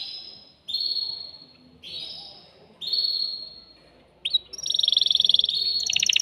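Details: Male canary stimulating a female to mate: three long, steady whistled notes separated by pauses, then a bright, rapid rolling trill.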